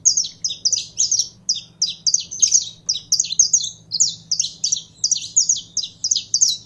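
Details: Saffron finch singing steadily, with bright, high chirps and brief whistled slurs packed into quick repeated phrases and little rest between them, over a soft low hum.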